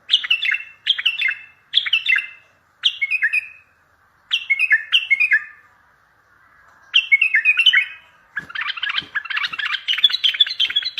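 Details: Strong bulbul song meant to lure other bulbuls for trapping and to draw answers from far-off birds: short descending warbled phrases repeated about once a second, then a busy continuous chatter with faint low knocks.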